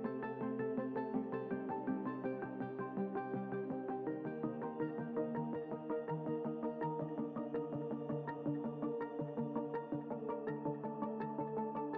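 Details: Soft, sustained ambient music with layered synthesizer tones and no animal sounds.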